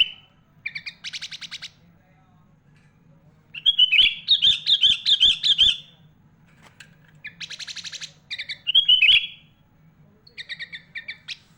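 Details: Prolific sooty-headed bulbul song rich in borrowed phrases of other birds, including the magpie-robin, meant for tutoring other bulbuls; bursts of fast chattering notes and wavering warbled trills separated by short pauses, a low electrical hum beneath.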